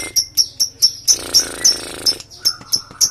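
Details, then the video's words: Lovebird used as a lure for other lovebirds, delivering long trilling: sharp high chips repeated in quick series, broken by a dense buzzing rattle lasting about a second, then more chips. "Loberd paut Ngekek Panjang"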